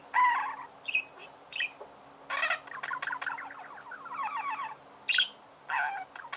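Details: Budgerigar singing: harsh scratchy squawks alternate with rapid ticking, buzzy chatter phrases, and a few clear whistled squeaks, rising and falling in loudness.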